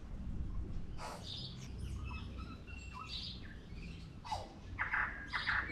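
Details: Tui in Auckland, New Zealand, singing a varied phrase of short bright notes, clicks and brief whistled tones, some steady and some slurred, over a low continuous background rumble.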